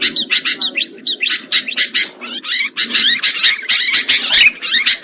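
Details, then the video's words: Sooty-headed bulbuls in a lure recording for trapping birds: dense, harsh chattering from several overlapping birds, quick scratchy notes repeated about twice a second with short bright whistled slurs mixed in. "Suara Pikat Burung Kutilang Ampuh"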